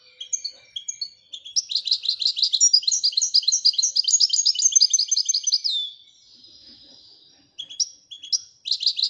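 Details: European goldfinch, Moroccan, singing the Widania style: long, continuous, fast twittering with metallic buzzy notes, a drawn-out fading note, then short chirps resuming.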